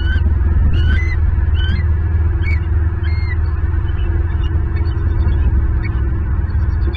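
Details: Pair of wild bald eagles perched together on a branch on a Friday night in Southwest Florida, caught by a nest camera; thin, high, rising chirps in quick bursts, then fading, over a steady deep hum.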